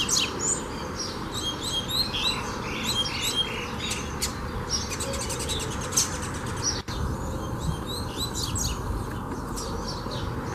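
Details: Double-collared seedeater in song training delivers a dense run of sharp, high chirped and buzzy phrases early on, then sparser notes and clicks over constant low background hum.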